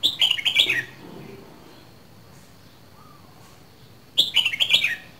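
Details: Red-whiskered bulbul from Dak Lak singing two short bursts of quick, bubbly warbled notes, separated by a pause of faint background noise.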